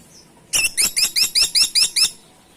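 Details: Woodpecker known locally as caladi tikotok, used as a lure call. A single loud burst of eight sharp, squeaky notes, evenly spaced over about one and a half seconds, standing out over quiet background.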